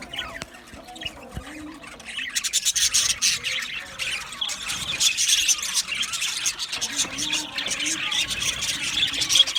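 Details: Quiet start with a few scattered squeaks, then a colony of male budgerigars in an aviary breaks into loud, dense chirping and twittering that continues to the end; recorded 8 December 2025.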